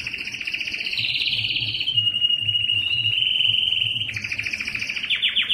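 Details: Belgian canary song meant to attract females for breeding, built from a long rolling trill that slides down into a sustained, even whistled note before breaking into higher rapid trills; a faint low hum runs throughout.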